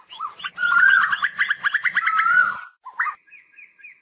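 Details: Asian koel calling to gather its flock: one long note breaking into a rapid pulsed stutter, then a short sharp note and a faint fading trill.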